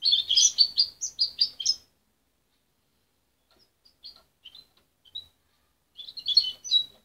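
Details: Goldfinch hybrid youngster, raised by its mother and taken away at 23 days, still learning its song: an opening burst of rapid high twitters, scattered quiet chirps after a pause, then another quick tinkling twitter phrase at the end.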